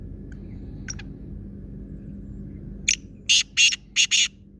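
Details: Faint short notes give way to a loud black francolin phrase: a clipped opening note and four harsh, scratchy notes in close pairs, then silence with low hum.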